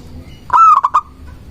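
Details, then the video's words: Local zebra dove, sung as a lure to provoke rivals: one short loud phrase of a rising drawn note broken into three quick stuttering pulses, with a low background hum. "Perkutut lokal gacor mengundang lawan bunyi"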